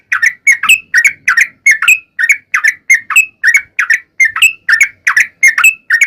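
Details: Sooty-headed bulbul song meant as a lure to get bulbuls singing: paired bubbly chirps, some rising at the end, delivered in a steady rhythm over quiet background.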